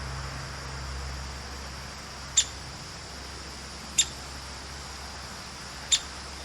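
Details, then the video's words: Downy Woodpecker, a fearless female, gives three sharp, high pik notes about two seconds apart over a steady low hum and faint high hiss; she later flew toward the recordist and landed nearby. "Downy woodpecker being talkative"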